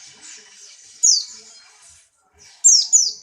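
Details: Hopping Buxtoni white-eye in strong breeding condition gives a sharp descending chirp, then after a pause a quick pair of high, falling notes, over a soft hiss.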